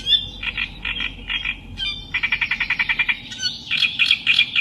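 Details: Reed warbler, called kerak basi in Indonesian, singing a chattering song of repeated harsh notes, first short rhythmic bursts, then a fast string of evenly spaced churrs and buzzy high phrases, over a steady low hum.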